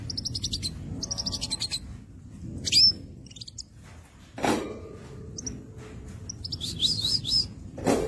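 A crimson sunbird sings in high, thin bursts of rapid ticking trills and sharp chirps, broken by short pauses; a couple of dull knocks sound in the background.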